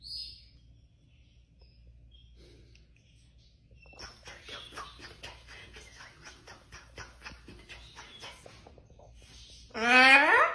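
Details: A pet cockatoo named Tofu chatters indoors in a quick run of scratchy notes for about five seconds, then gives one loud, harsh screech, after brief human speech.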